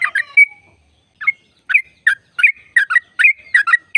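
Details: Trucuk, or sooty-headed bulbul, singing long 'ropel' trills played to get other birds singing: an opening bubbly phrase, a gap, then an accelerating run of warbled, mellow notes with short sustained whistled tones.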